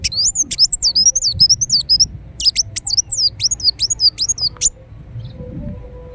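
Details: Ruby-cheeked sunbird in continuous song: a fast string of high, sharply curved squeaky notes and clicks for about five seconds, then silence apart from faint low noise.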